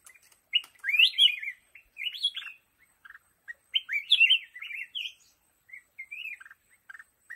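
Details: Black-crested bulbul singing in a lồ ô bamboo thicket: bright, warbled whistled phrases, each rising then falling, delivered in quick bursts with short pauses between them.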